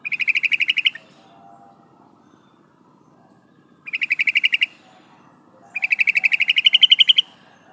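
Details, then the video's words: Female sooty-headed bulbul calling the male, used to lure males: loud bursts of rapid repeated chattering notes, each burst about a second long, rising slightly at the end, with pauses between. "suara burung trucukan betina memanggil jantan"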